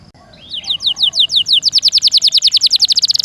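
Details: Canary singing in a rolling, sharp-burst style, used as tutor song for magpie robins: a faint rising note, then a fast train of downward-sweeping high whistles, about three per second, speeding into a tight roll.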